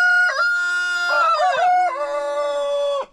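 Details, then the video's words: Close, loud rooster crow from a chicken farm's daily post-breakfast crowing contest: a brief rising start, a long sustained note, a warbling break in the middle, then a long level ending, about three seconds in all. "roosters crowing.... contest"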